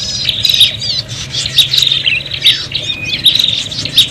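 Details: Agitated prinia calls used as a lure, fighting and noisy: rapid high chattering notes and sharp squeaky bursts around a steady high buzzing tone, with short whistled slurs and a faint low hum beneath.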